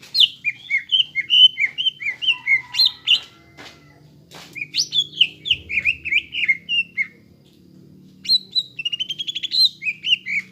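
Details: Greater green leafbird in full song, meant as a model for young birds: fast runs of bright whistled and slurred notes, a quiet gap with low rumbles, then a trilled rising passage and more whistles.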